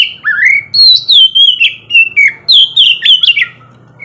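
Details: Morning song of an oriental magpie-robin in ngeplong style, played to prompt lazy birds to sing: a rising swoop, then a continuous run of wavering, stepwise-falling whistles, rapid and loud throughout.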